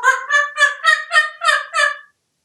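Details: Male African grey parrot, a talkative house pet in Texas hatched in 1997, makes a rapid gobbling series of seven harsh nasal pulses, turkey-like, in a quiet room.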